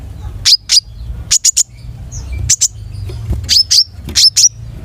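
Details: Long-tailed shrike singing energetically: short, sharp, very high chirps, often in quick pairs, in bursts separated by pauses, with a low steady hum underneath.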